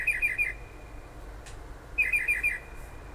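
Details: Night-singing bird heard late at night and early morning near Toms River, New Jersey, close to the shore. It gives two short, fast trills of about five pulses each, about two seconds apart, against noisy background rumble.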